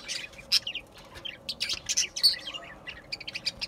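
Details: Budgerigar chatter: a continuous, lively jumble of high squeaky chirps, clicks and short whistled notes tumbling quickly one after another, with a faint steady tone underneath.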